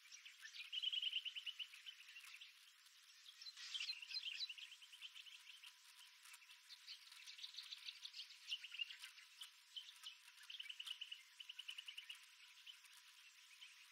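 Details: Several birds singing during an early morning walk around the rim of Wolfe Creek Crater, desert in Western Australia's Kimberley region, recorded on a GoPro Max 360: overlapping bright chirps and trilled phrases, fast repeated notes, one loud burst near four seconds.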